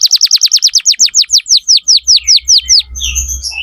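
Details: Energetic canary singing used as a model for young canaries: a long series of bright downward-slurred whistles, slowing gradually, followed by scattered soft chirps and low rumbling noise.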